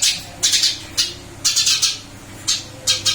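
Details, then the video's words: Caged Eurasian tree sparrow, recently moved to a new cage, still singing busily: bright, harsh chirps in short bursts of two to four notes, separated by brief pauses, with a low steady hum indoors. "Burung gereja pindah sangkar Alhamdulillah tetap gacor"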